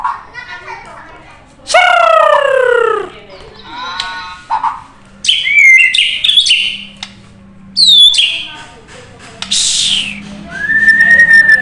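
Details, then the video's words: White-rumped shama singing a varied, loud song meant to provoke other shamas into answering: rich descending harmonic whistles, sharp upslurred notes and buzzy bursts separated by short pauses, with a low steady hum underneath. "JEBOL BIR4HI DAN EM0SI setiap murai yang mendengar langsung nyaut dan bongkar isian"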